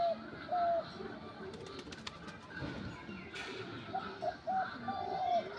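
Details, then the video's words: Sweet calling of a Dabal bird, set up in a tree a week earlier, recorded 1 January 2025. A single long whistled note opens, then a quiet stretch of rustling noise, then a quick cluster of short whistles. "ডবল পাখির মধুর ডাক"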